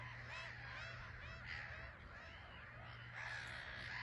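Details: Black-headed gulls in a bustling colony on a small island at RSPB Frampton Marsh, birds taking off and landing; many overlapping harsh, arched calls form a continuous chorus, with a steady low hum underneath.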